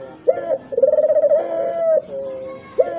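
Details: Dove cooing, a lure recording meant to make other doves call, even mute ones: a short coo, then a long, steady, pulsing low coo lasting over a second, a softer trailing note, and a new phrase starting at the end.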